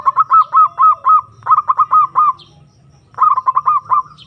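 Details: Zebra dove calling a rival, used to provoke and excite other doves: repeated phrases of staccato coos flowing into longer hooked notes, three phrases with brief gaps, faint high chirps of another bird.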